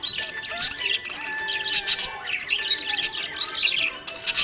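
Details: A happy budgie chirps in fast, rippling twitters and short squeaks, broken by brief pauses, with a song in the background.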